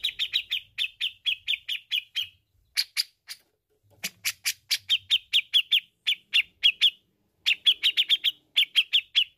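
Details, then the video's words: Grey-cheeked bulbul in vigorous full song, used as training material for other birds: long runs of sharp, clipped notes repeated rapidly in bursts, with short pauses between the phrases. No other sounds are heard. "Suara Cucak Jenggot Gacor Untuk terapi jenggot Bahan"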